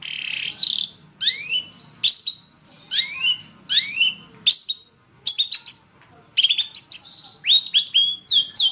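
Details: A long-tailed shrike sings on a masteran recording for training birds. Scratchy, rising notes come in clusters with pauses, then a quicker run of sharp, upward-flicking whistles.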